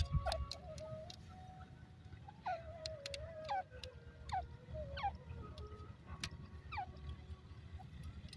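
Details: Partridge, known locally as teetar, calling with a series of clear whistled notes that sweep downward, spaced roughly one second apart, with steady low background rumble.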